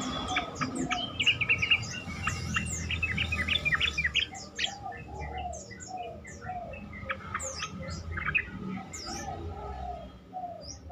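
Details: Yellow-vented bulbuls in a busy chorus of chirps and short liquid whistles, sung as a lure to coax other bulbuls into replying more often; notes tumble rapidly and overlap.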